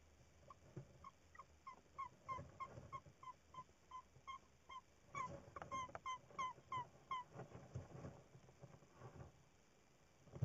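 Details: Tawny owl at its nest in spring, 1 April 2019: a quick series of short, squeaky, harmonic-rich notes repeated about three times a second in two bursts, over a low rumbling background with soft knocks.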